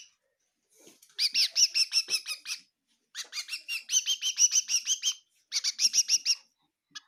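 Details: Bird chirping inside a kitchen in Tseminyu, Kohima: three separate bursts of quick, high, rattling chirps, each lasting one to two seconds, separated by silence.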